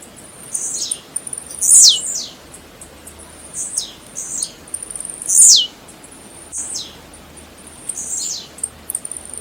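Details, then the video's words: Tiziu (Blue-black grassquit) song: clusters of high, wheezy notes, each capped by a bright, steeply dropping buzz, recurring about every three and a half seconds. "Canto Do Tiziu - Canto Do Tiziu Para Esquentar"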